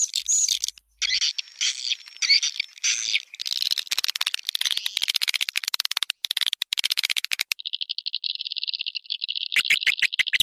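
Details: Swiftlet luring sound, locally called suara tarik. Dense high twittering chirps are followed by a fast, even run of sharp clicking pulses. After that comes a steady buzzing pulse train near one pitch, then renewed chirping. There are abrupt cuts between sections.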